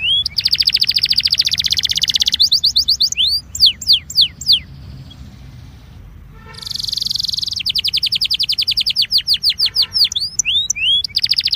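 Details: Incarte of a Belgian canary, sung to warm up other canaries. Rapid high trills and curved whistled sweeps follow a brief quiet pause, then a buzzy note leads back into fast repeated trills.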